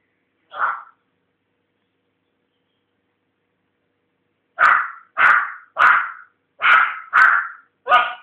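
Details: Indoor pet African grey parrot, a talking bird still learning, producing one short bark-like note, then after a pause six loud, evenly spaced bark-like yelps in quick succession.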